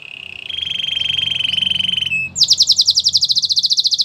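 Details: Canary singing to coax other canaries into song: a long even rolling trill, then a loud fast pulsing series of high notes, with a faint background hum.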